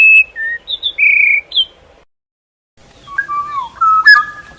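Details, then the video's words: Morning bird song made of loud, clear whistled notes stepping up and down in pitch. After a pause, a lower run of whistles with a sharp click follows. "아침명상 - 새소리"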